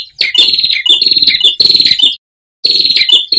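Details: Ashy tailorbird song for cage-bird training: three loud bursts of fast buzzy, rattling notes with a sharp high edge, one brief silence near the end between phrases.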